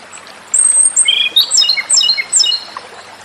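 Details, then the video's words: Japanese robin song phrase: a long thin high whistle, then a series of short chirps sliding downward in pitch, repeated several times in quick succession over light background hiss. "suara burung JAPANESE ROBIN/KOMADORI"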